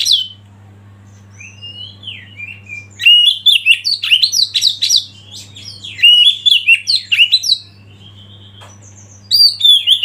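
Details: Oriental magpie-robin song meant for training birds: a few soft whistled notes, then a loud three-second flurry of varied chirps and slurred whistles, a pause, and another brief bright phrase, with a faint steady hum.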